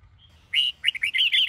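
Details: Sông Kôn red-whiskered bulbul singing in the morning for song training. A faint high whistle first, then a loud, continuous phrase of rapid bright warbled notes that bounce up and down.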